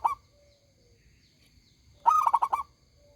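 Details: Local zebra dove singing briskly in a loud, clear voice. The tail of one phrase opens the clip. After a quiet pause comes a full burst of six quick, clipped coos.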